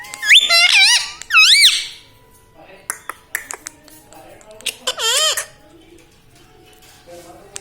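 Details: Indoor pet parrot imitating words like mummy and papa: two loud, rising and falling squeaky phrases at the start, scattered clicks and soft taps in the middle, then one more warbled phrase.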